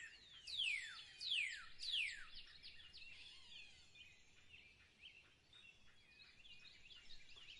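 Eurasian siskin giving three clear, high, steeply falling call notes about a second apart, followed by a softer run of busy, twittering chatter.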